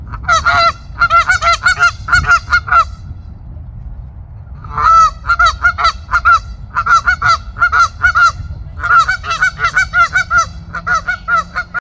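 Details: Canada goose at a pond gives loud, nasal honks in rapid bursts of four to six, each note rising slightly, over a steady low rumble.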